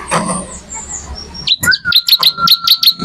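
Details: Bar-winged prinia singing lively, used as a songbird tutor: a steady series of sharp, high chips about seven to eight per second, over a constant thin whistled tone, after a hissy start.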